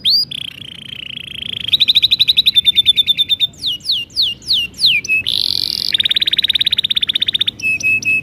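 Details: Spirited canary with a long song, meant to coax young canaries into singing: a smooth rolling tone, a fast rattling trill, a series of downward slurs, a buzzy burst and a long rapid roll.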